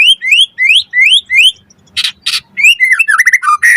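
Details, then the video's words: White-rumped shama, a training recording for getting birds to sing: five rising slurred whistles in a steady series, two harsh rasping bursts, then quick jumbled varied notes. "Masteran Suara Burung Murai Agar Gacor Full Isian"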